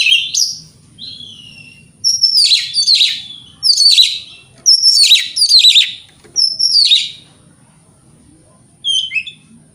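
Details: White-rumped shama singing in the morning to prompt rival birds to respond: a series of loud, descending, scratchy phrases repeated about every second, then a quiet pause and a short whistle.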